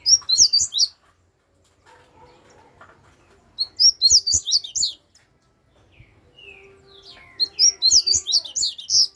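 Double-collared seedeater singing three bursts of rapid, high, twittering notes with quick slurred sweeps, one phrase roughly every three seconds; faint clicks and tapping in between.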